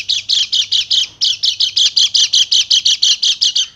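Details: Female Bali white-eye rattling out quick, harsh, high trilled chirps in a steady rhythm of nearly three per second, each note buzzy and bright, with a faint low hum in the background.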